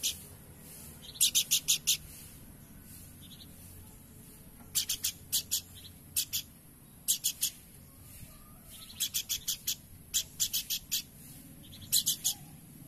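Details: Planduk semak, or Horsfield's babbler, in steady song: clusters of three to five short, high, clipped notes, repeated in bursts every second or two, separated by short silences.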